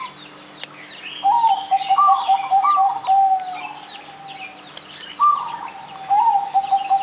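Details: Zebra dove sings its anggungan, a lure for getting other birds singing. A rising first note leads into a long rolling string of soft, low coos, then two more short phrases, over a background of high, busy chirps from other birds.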